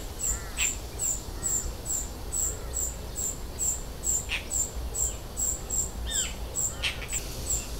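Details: Common cuckoo juvenile being fed by its vinous-throated parrotbill host; a thin, very high, hissing note repeated about twice per second, with faint lower chirps and a low background rumble.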